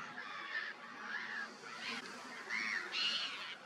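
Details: Great white pelican at Lake Kerkini, Greece, giving about five harsh, hoarse honking grunts, each under half a second, at an uneven pace over a steady background hiss.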